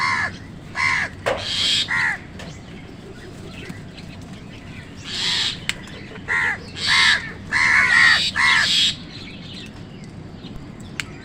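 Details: Crows fighting wild birds for food, giving harsh broadband caws in bursts of about half a second, several in quick runs with pauses between, over steady low background hiss.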